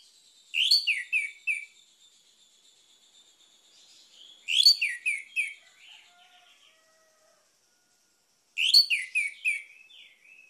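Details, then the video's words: Orange-headed thrush song, used as a lure to stir a silent bird into singing: three bright whistled phrases of quick descending slurred notes, each about a second long, repeated every four seconds, with a faint steady hiss between phrases. "PUTARKAN INI‼️ ANIS MERAH MACET AUTO GACOR"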